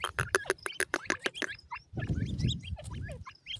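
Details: Grey francolin chicks, white-plumaged, captive, playing with feed: rapid dry pecking clicks first, then scattered thin rising peeps and a low rumbling noise underneath.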